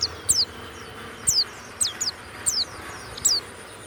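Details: Warbling white-eye kept as a Banyuwangi-type pleci. It gives sparse, sharp high downslurred chirps, singly or in pairs, about once a second, over a faint hiss and low hum.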